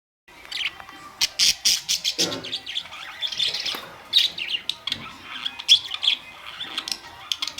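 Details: Several pet budgerigars, brightly coloured, recorded May 2, 2023; overlapping chirps, squawks and warbling chatter in bursts, with sharp clicks between calls.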